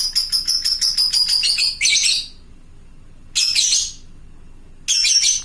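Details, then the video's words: Fighter lovebird calling companions: a quick series of sharp, high chattering notes flowing into a shrill squawk, followed by two more harsh bursts after short silences. "suara burung lovebird fighter gacor ngekek panjang memanggik teman"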